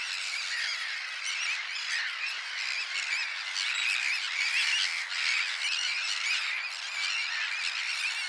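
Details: Sandwich terns, newly arrived back at the Wagejot where they have bred for several years, call in a dense, continuous chorus of harsh, grating, overlapping squawks with no pause across the whole stretch.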